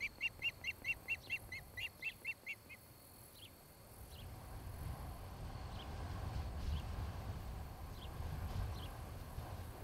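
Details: Ospreys at a nest near Charlo, Montana, filmed by a nest cam on 26 July 2018 around 17:00: a quick burst of about ten clear, piping chirps, then only faint, downslurred calls over rising low rumble.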